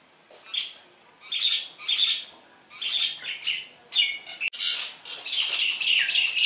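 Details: Javan myna, described as singing actively and caught with a net, gives harsh, buzzy bursts in rough clusters of two or three, separated by short pauses.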